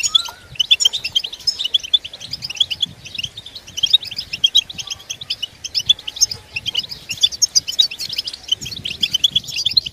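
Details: Collective goldfinch twitter offered as help for goldfinches singing through the feather moult; a long, unbroken flow of high jingling chirps and trills from many birds, with soft low rumbling underneath.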